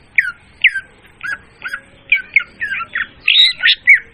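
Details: Oriental magpie-robin song used as a trapping lure, described as clear and loud: a run of short whistled and slurred notes, each falling or rising, about two per second, ending in denser rasping phrases.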